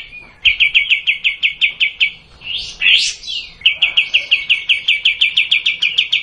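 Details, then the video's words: Long 'tembak' song of a sooty-headed bulbul (kapas tembak). Quick staccato notes repeat in a steady burst, a couple of loud upswept whistles interrupt, and the rapid notes pick up again until the end. "Kapas tembak panjang"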